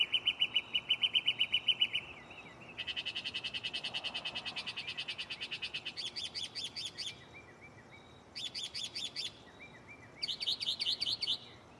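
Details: Night-singing mockingbird perched close in a tree, shuffling song types: a train of sharp chirps, a long rapid trill, then several harsh chattering bursts separated by short thin whistles.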